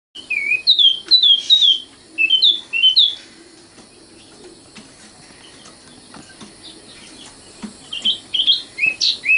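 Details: Common nightingale singing: a run of sharp, clear whistled notes, some sliding downward, in quick bursts, then a pause of a few seconds before more varied whistled phrases resume.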